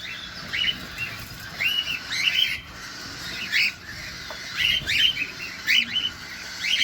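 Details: Close recording of feeding cockatiels: short, warbling chirps come in uneven clusters about once a second over a steady faint hiss.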